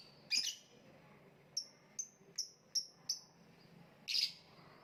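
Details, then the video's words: Lovebird, kicau mania style: a harsh opening chirp, then a run of five short, clipped, downward-sliding high notes about half a second apart, ending in another loud buzzy chirp. "voice of love bird/ kicau mania lovebird gantangan macet"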